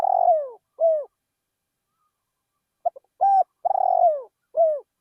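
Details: Spotted dove used as a decoy bird, calling in a rice field. The tail of one coo phrase is followed after a pause by a full phrase: two clipped notes, a long rolling purr sliding downward, then a short closing coo. The background is otherwise quiet.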